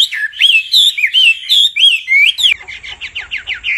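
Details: Hwamei, male excited by female calls: loud, bright slurred whistles in quick succession for two and a half seconds, followed by a quieter, rapid series of short descending notes.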